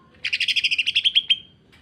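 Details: Greater green leafbird (cucak ijo) in a short, harsh 'sewing machine' song phrase. A string of about fourteen rapid, buzzy pulses ends in a thin, drawn-out whistle.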